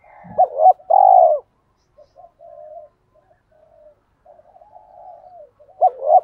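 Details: Spotted dove calling hens and provoking rivals to fight, used to rouse decoys: a sharp double coo and long rolling purr, then faint murmured coos before another double coo begins.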